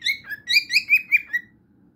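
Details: Cockatiel song fragment: six or seven sharp whistled notes in quick succession, each with a slight up-and-down inflection. The phrase ends in a falling whistle and fades into quiet room noise.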